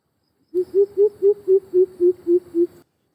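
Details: Greater Coucal giving its deep, resonant, far-carrying call, heard especially at dawn and in the evening: a quick, even series of nine low booming hoots, about four per second, steady in pitch, with no other sounds.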